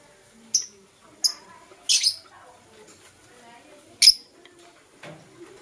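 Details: Lovebirds of blue opaline and parblue euwing opaline colour in the morning give short, sharp, high chirps spaced about a second apart, with one doubled burst, over a quiet background.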